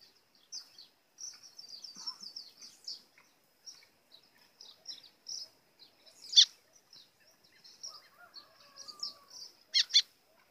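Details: Seedeater, white-throated, delivering an azulão-style song used to stir birds up: a long run of rapid high chittering notes, a lower sliding whistle late on, and loud double clicks near the end.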